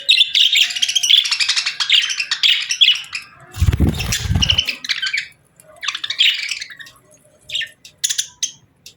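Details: Cheerful budgerigar chirps: rapid scratchy warbling chatter, broken midway by a brief low thumping rustle, then further clusters of high buzzy notes with short pauses.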